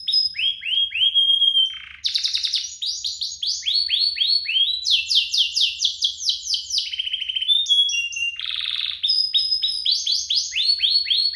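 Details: Duet of singing canaries, used as a master recording for young canaries; varied song of falling whistled notes in quick series, buzzy rolls and sharp chirps, nearly unbroken for eleven seconds.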